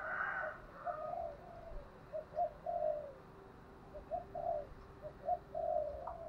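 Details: Spotted dove used as a decoy, cooing in the morning to call in a flock; soft, low coos in short phrases, faint against a steady background hiss and a higher chirp at the start.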